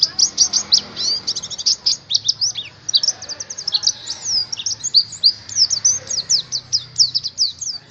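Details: Songbird-hobby white-eye from Indonesia pouring out a dense, high-pitched chatter of quick chirps, rattling trills and slurred whistles, repeated in tight clusters with only tiny gaps.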